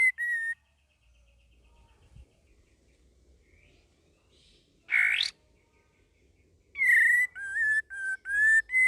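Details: Young sooty-headed bulbul learning its varied song: a clear whistled note, a long quiet pause, a harsh rising rasp, then a quick sequence of slurred whistles dipping and rising.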